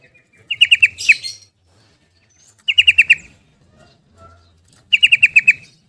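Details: Yellow-vented bulbul in rapid 'ropel' style, used to stimulate caged bulbuls that have stopped singing. Three bursts of bubbly, liquid notes, each about half a second long, recur roughly every two seconds, with faint low rumbling between them.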